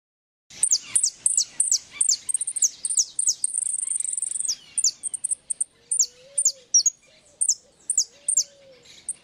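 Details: European goldfinch singing in the repique style: rapid very high chirps and falling notes in quick runs, a sustained buzzy trill in the middle, then spaced high notes over a few low soft whistles.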